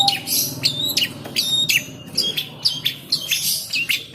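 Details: An aggressive captive long-tailed shrike, being teased, gives a busy stream of sharp, high chirps and squeaky whistled notes, several each second, over a faint low hum.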